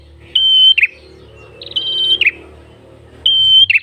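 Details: Three loud flat whistles from a red-headed prenjak, each closing with a short buzzy downslur, with a faint low hum underneath. The gacor ngalun song is used to lure birds.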